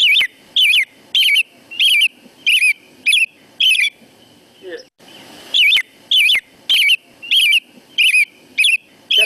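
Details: American robin (Turdus migratorius) cheery song, a New York State bird: a run of short, clear whistled phrases rising and falling, one or two a second, with a brief pause midway.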